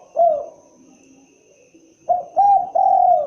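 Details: Spotted dove, locally derkuku or tekukur, with its typical coo: a falling note closing one phrase, silence, then short hollow notes running into a long sustained coo.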